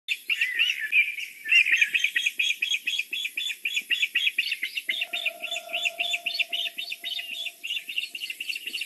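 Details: Osprey at the nest in the evening, a female present as a male arrives with a fish, possibly a new pair settling in: rapid series of high, sharp whistled chirps, about three per second, with a steady faint lower hum.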